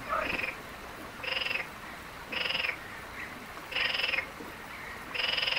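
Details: Wild European bee-eater calls recorded in Palestinian countryside: five loud, rolling, throaty 'prruip' trills, each about half a second long, repeated roughly every 1.2 seconds.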